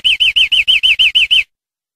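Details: Captive-training tutor song of a European greenfinch: nine rapid, bright, arched notes repeated evenly over one and a half seconds, then silence, on a clean recording.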